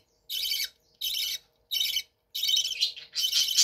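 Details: Budgerigars in a bird room, in captivity: five rasping, buzzy squawks, the last two longer and more varied, spaced roughly every half to three-quarters of a second.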